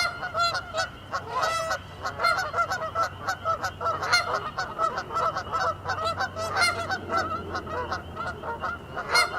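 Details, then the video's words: Canada geese, a species native to North America, honk loudly and raggedly, several birds overlapping in quick, irregular bursts of nasal, guttural calls with no steady beat. "Cri de la Bernache du Canada | Canada goose sounds. Wild goose call"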